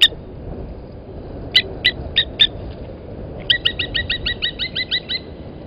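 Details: Blacksmith lapwing parent guarding eggs at Gowrie dam waterhole, Djuma Game Reserve, Sabi Sand Wildtuin, South Africa, late morning, 31 August 2020: four spaced metallic clinks, followed by a fast, even burst of about ten bright, hammer-like notes.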